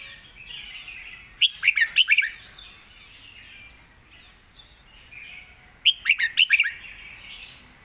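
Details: A red-whiskered bulbul with a clear, good-sounding double song gives two bright, bubbly phrases of quick, warbled notes separated by a short pause; used to teach other birds.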